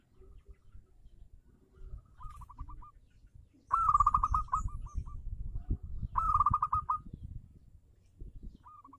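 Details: Local zebra dove song meant to lure silent doves into singing: repeated phrases of fast, stuttering cooing notes, two loud rattling runs between softer ones, over steady low-pitched background noise.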